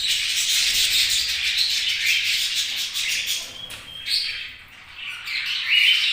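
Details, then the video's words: A group of budgies warbles continuously in rapid, grating chirps, then thins to scattered squeaky notes and a thin whistle toward the close. "Budgies' Chirping Sounds"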